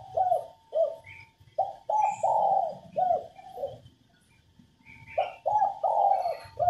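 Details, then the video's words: Female spotted dove calling to excite males into cooing: gentle, low, hooting notes grouped into a phrase with a longer, rolling centre note, a gap, then another phrase; soft chirps from other birds. "Cu mái gáy kích bổi nhanh nổi, kích trống gù khách, luyện giọng cu gáy mồi"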